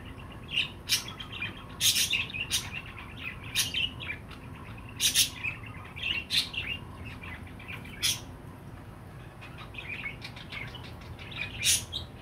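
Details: Long run of pet budgerigar chirps: sharp, high, clicky notes and soft warbles, roughly one to three per second, over a faint low hum.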